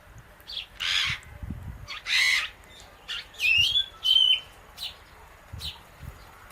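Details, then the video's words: Indian ringneck parakeet and an Alexandrine parrot eating guava seeds together; loud scratchy bursts followed by thin whistled upslurred chirps and sharp clicks, with soft low knocks beneath. "Parrot Natural Clicking Sounds"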